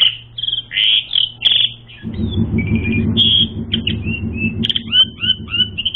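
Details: Asian pied starling in training song meant to provoke fighting: loud clear whistles and chattered notes, then a series of short repeated slurred whistles, over a steady low rumbling hum that begins partway through.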